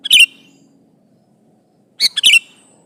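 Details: Sooty-headed bulbul song used to call an opponent: a short chirpy burst at the start, then after a pause a second phrase of three quick, bubbling notes.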